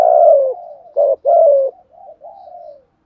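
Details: Spotted dove cooing, 'thúc gù' style: a long loud falling coo, then a short note and another drawn-out coo, fading into quieter wavering coos.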